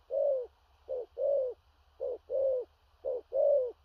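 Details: Spotted dove in the booming 'thổ rặc' cooing style with stammered delivery: three even couplets of a short low hoot and a longer descending coo, spaced regularly about a second apart.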